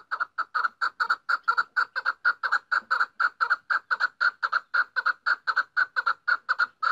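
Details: Female chukar partridge repeating a loud, rhythmic chuck note about twice a second without pause, a clear rolling series.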